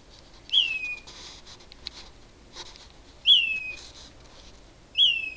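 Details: Night bird heard at 4am from a mesquite tree: three loud descending whistles, each bright start slurring down to a brief steady note, repeated at irregular intervals of about two to three seconds over soft background hiss.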